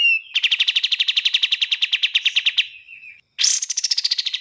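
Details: Bar-winged prinia song, clearly recorded with pauses and a fast, tight delivery: a rapid train of about twenty clipped, even notes, then a short gap and a second descending, tightly packed burst.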